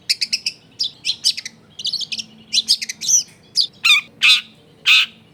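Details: Lure song from a long-tailed shrike for drawing out other shrikes: quick series of sharp chips giving way to louder harsh, buzzy squawks spaced roughly half a second apart.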